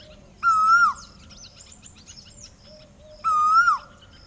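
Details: Asian koel (Eudynamys scolopaceus), a breeding-season song, gives two loud, clear, half-second notes about three seconds apart, with soft chirps from small birds filling the gaps.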